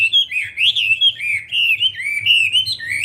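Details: Wambi producing continuous bright warbling, with high whistled notes rippling up and down without a break, accompanied by a soft low hum.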